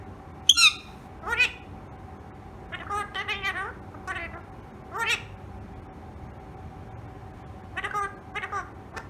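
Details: Pet talking rose-ringed parakeet: a series of short, harmonic, speech-like syllables, with loud sharp calls near the start and clusters of mimicked words at intervals, over a quiet room hum.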